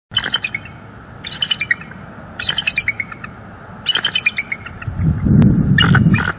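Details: Pair of wild bald eagles at their nest in northeast Florida, filmed by live nest cam on 5 October 2022, calling out after a visiting juvenile left, perhaps reaffirming territory: bursts of high, piping, chittering notes repeated every second or so, then rustling.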